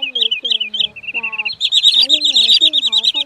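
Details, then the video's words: Sandpiper-type birds (choắt bụng trắng and rẽ hôi) on a lure recording for night net-trapping of migrating birds, August 2023: rapid, clear, ringing whistled notes, several per second and slightly descending, over a lower steady tone, with inserted music or voice. "Tiếng Choắt Bụng Trắng , Rẽ Hôi"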